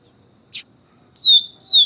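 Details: Papa-capim or yellow-bellied seedeater with a female calling to warm it up: a single sharp chip, a pause, then two clean descending whistles in 'siu siu' style.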